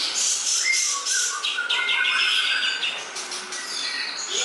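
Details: Greater green leafbird song offered as masteran, a tutor recording said to be easy for other songbirds to pick up; dense, continuous high warbling with bright whistled notes, quick chirps and short rising slurs throughout.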